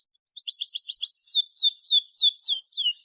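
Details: Canary in full, vigorous song, played as a lure to prompt young or lazy canaries to sing: a quick burst of sharp, high chips, then a run of clear, repeated downslurred whistles about three per second. The background is silent.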